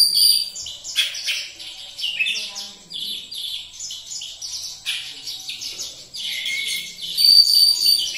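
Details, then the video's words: Oriental magpie-robin (kacer), described as bursting into full song within minutes: dense, overlapping high chirps and short whistled phrases, tumbling in quick bursts with brief pauses, a few louder clear whistled notes near the end. "Kacer langsung gacor moncer dalam hitungan menit"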